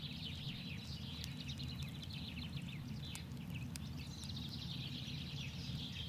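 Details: Continuous high chattering of brambling calls, many short chirps and slurred notes following one another without pause, over a constant low rumble with a few faint clicks.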